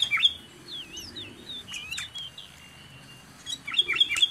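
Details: Bulbul, sooty-headed, near a dwelling: an emphatic chirp opens, then looping, wavering whistles rise and fall, ending with another burst of sharp dropping notes.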